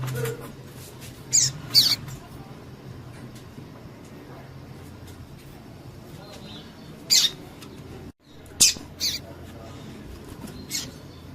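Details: Double-collared seedeater female calls, used to get a male singing: brief high-pitched chirps, some paired, scattered over eleven seconds, with a low hum underneath and a brief dropout near the middle.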